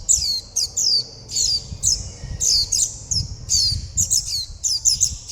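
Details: Young warbling white-eyes calling their mother and flock and begging for food. They give thin, very high, sharply falling chirps in quick bursts of one to three, repeated every half second or so, over a faint low rumble.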